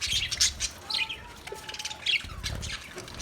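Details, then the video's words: Budgerigar chirping: quick high twittering notes, a short steady whistled tone in the middle, and scratchy squawks over light low rumble. "Beautiful Budgie Singing Chirping sounds"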